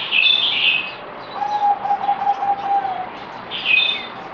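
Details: Zebra dove (merbok), a kept bird on its fourth day of deworming, 17 April 2020: one stuttering phrase of rapid, evenly pitched cooing notes lasting about a second and a half, with higher chirps from another bird before and after.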